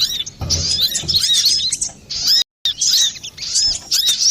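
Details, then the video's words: Brown-throated sunbird song for luring or bird training, a fast jumble of high sharp chirps and twitters, briefly broken by a short silent gap midway, with faint low rustling beneath. "Pancingan burung Kolibri Klapa ribut,suara jerni"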